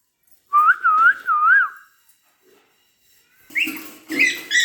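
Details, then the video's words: Pet parrot, kept indoors, giving a wavering whistled phrase of three rising-and-falling loops, then a pause and two harsher, broader squawk-like notes near the end. "talking parrot"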